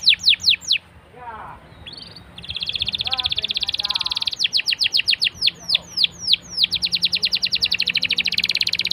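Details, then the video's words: Canary song meant to spur other canaries into singing: a few quick sweeping notes, a pause with faint lower chirps, then a long fast buzzy trill followed by rapid repeated down-slurred whistles and another trill. "BURUNG KENARI LANGSUNG RESPON GACOR DENGAN PANCINGAN KENARI INI!!"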